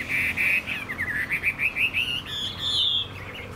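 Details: Chinese hwamei in a cage: two steady, sustained whistles, followed by a rising series of short, bubbling notes that run into a long, high, drawn-out whistle.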